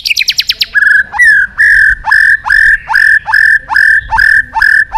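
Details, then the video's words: Energetic white-rumped shama singing as a lure to trigger song in other shamas: a quick high rattle of falling notes, then a steady series of loud, rich whistled notes, each swooping up and held, repeated about twice a second. "Suara Terapi Burung Murai Batu Gacor Emosi"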